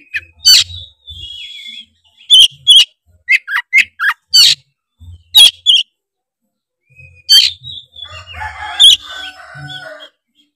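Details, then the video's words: Loud, energetic oriental magpie-robin song from Tretes, meant to provoke other magpie-robins into singing: sharp clear whistles and quick repeated chips, then a scratchy buzzing warble near the end. "pancingan kacer tretes gacor ngeplong bikin kacer lawan auto gacor ngeplong denger suara kacer ini"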